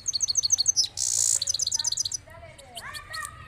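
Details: European goldfinch, locally called saira balkashal, singing: rapid, high, tinkling repeated notes, broken by a brief harsh burst, then more quick twittering and a few lower rising notes.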